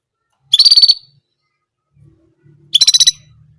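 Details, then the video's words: Orange German canary repeating its single song phrase: two rapid, even trills of about six bright pulses each, roughly two seconds apart, with faint low background sound between. "Orange German Canary Singing Only One Sound Of Singing"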